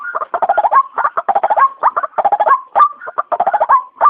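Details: Trapping lure of the white-breasted waterhen: quick stuttering runs of harsh notes broken by short rising croaks, an uneven, dense chattering sequence.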